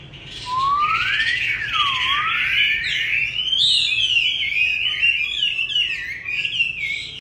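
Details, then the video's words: A Chinese hwamei sings a loud, continuous run of rich whistles, swooping up and down and rising into bright, varied phrases, with a faint room hum beneath. "Hót xong về chủ mới cho ấm nhé chú Hoạ Mi"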